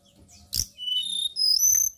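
White-browed shortwing singing: a sharp click, then thin, very high whistled notes that slide and rise, quick and bright, over faint low background hum.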